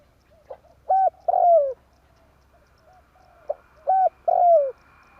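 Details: Lure call of a spotted dove for trapping, in tarik akar style: two phrases of a brief note, a steady hollow coo and a drawn-out descending coo, separated by soft low cooing.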